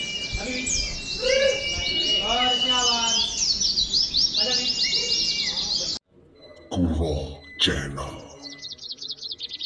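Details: Oriental white-eyes singing together in a contest-simulation recording for training; dense high, thin chirping trills for six seconds, then an abrupt cut to a quieter passage with scattered notes, bursts of noise and a faint trilling series.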